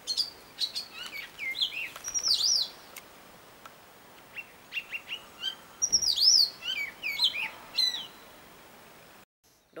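A robin sings varied, thin, high warbled phrases with quick trills and slides. Each burst is separated by short pauses, against a quiet outdoor background.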